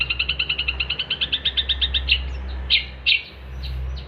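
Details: Cendet (long-tailed shrike) in lively song, meant as tutor material for songbirds: a rapid even series of about twenty high clipped notes that slows and ends in a few louder sharp chips, with low background rumble.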